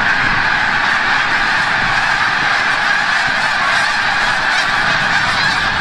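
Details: Snow geese flying back from the bay at sunset over Forsythe National Wildlife Refuge in Oceanville, New Jersey: countless high, yelping honks blend into one continuous roaring wall of sound with little low-end noise.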